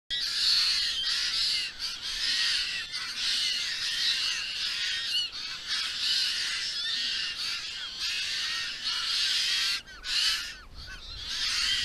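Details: A group of White-winged choughs at Creek Pond, reacting to another group arriving nearby by flapping their tails, keeps up a continuous chorus of harsh, grating, overlapping calls with a few brief pauses.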